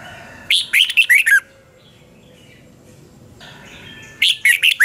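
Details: Morning training song of a red-whiskered bulbul, 'double-twist' style, 2020, for teaching other birds: a brisk phrase of five warbled notes ending on a falling slur, quiet, then a second matching phrase.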